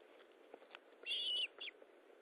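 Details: At an Osprey nest during a feeding session on 19 July 2012, 9:43, a long whistled note, flat then dipping at the end, is followed by a shorter, falling whistle, with faint clicks and hiss behind.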